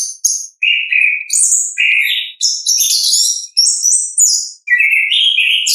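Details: Orange-headed thrush singing ngeplong, a natural recording: continuous alternating phrases of lower slurred whistles and shrill high notes. Each phrase lasts under a second, with short gaps between them.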